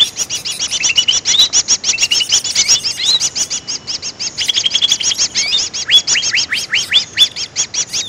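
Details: Greater green leafbird sound played to lure birds for trapping: frantic high twittering and chirping, with clear upslurred whistles standing out near the end.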